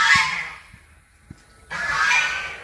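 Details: Three ducks at a temple, said to charge at people, give two harsh, raspy calls under a second each, separated by a short pause, with faint background thumps.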